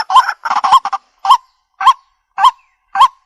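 A waterhen gives a quick run of nasal, honking notes, then four single loud honks spaced about half a second apart; nothing else is heard.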